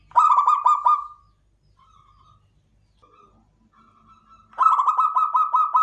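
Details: Zebra dove, a local klowongan bird, gives a fast stuttering coo trill, falls nearly silent with a few faint soft notes, then bursts into another quick pulsed trill.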